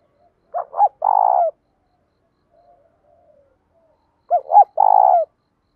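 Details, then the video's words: Two phrases of spotted dove cooing, 'thúc dút' style with a 'đồng' voice touched by 'thổ', used for training and provoking other doves; each phrase has two short hoots and a long purred note, spaced about four seconds apart. "cu gáy thúc dút cực chuẩn, giọng đồng pha tí thổ"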